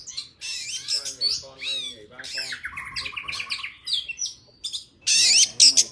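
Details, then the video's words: Oriental magpie-robin singing in a wild forest style, recorded for trapping and training young birds: loud, rich phrases of rising and falling whistles, a run of rapid stuttered notes in the middle, and bright sharp notes at the close. "Chòe than hót giọng rừng cực phê"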